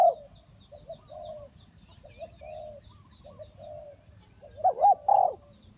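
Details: Spotted dove used as a decoy in a bird trap. Soft, mellow coos repeat through the clip, then a louder, closer burst of quavering coos comes near the end. Faint high chirps from other birds sound above.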